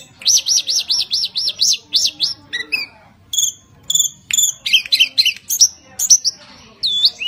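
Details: Tledekan gunung, a kept Javan songbird singing energetically, used to get other birds singing: a fast run of arched, high chirps repeated about five per second, then scattered sharp whistled notes and short twittering phrases.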